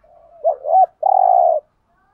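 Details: A single phrase of spotted dove lure cooing, meant to attract wild doves: a low murmur, a pair of short bent notes, then a drawn-out, even coo, heard clearly against silence.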